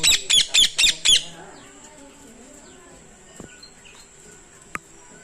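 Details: Caged pair of parrots kept in a village; five loud, piercing squawks in a rapid regular burst lasting about a second, then quiet with faint background sounds and a single click.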